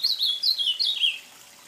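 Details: Ultramarine grosbeak (azulão) from Brazil singing a short warbled phrase of slurred whistled notes that step downward from high to lower pitch over about a second, then quiet.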